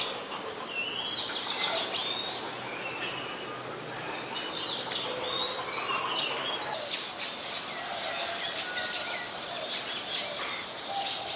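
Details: White-vented myna recorded in Ubon Ratchathani, Thailand, 14 December 2020: chattering high chirps and twisting whistles for several seconds, then a noisy, rustling stretch with only a few calls.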